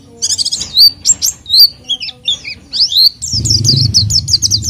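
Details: Lively oriental white-eye, sung as a lure for untrained birds, gives high swooping whistles and twittering notes, then a rapid run of sharp repeated chirps; a low rumbling hum rises under the final second.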